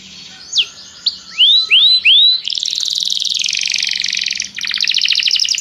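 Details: Canary in song training, calling another canary to sing: a few sharp descending notes and three rising sweeps, followed by long buzzy rolling trills, over a faint low hum.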